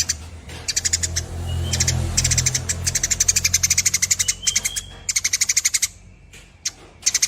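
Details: Lively Eurasian tree sparrow delivering long 'nyerecet' chatter: repeated fast bursts of sharp, high-pitched chips, each burst lasting about a second with brief pauses between, over a low rumbling background noise.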